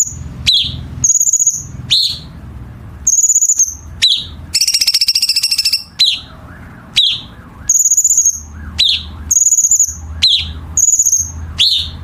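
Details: Chinese bulbul masteran for competition birds: crisp high whistled notes paired with quick downslurs repeat about every second, one long buzzy rattle in the middle, and low background hum throughout.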